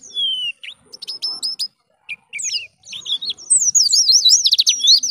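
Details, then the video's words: White-eye in lively ngalas-style song used to train other birds: thin high whistled slurs and short chirps, broken by brief pauses, then a fast run of rising and falling twittering notes. "PLECI GACOR suara ngalas || mengudang bunyi BURUNG PLECI Kontan Langsung Nyaut"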